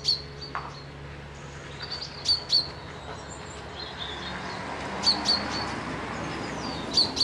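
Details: Birds at a lochside spot at Piperdam, Dundee: loud, sharp high chirps in pairs, separated by pauses of two to three seconds, with soft distant twitters and a low background hum.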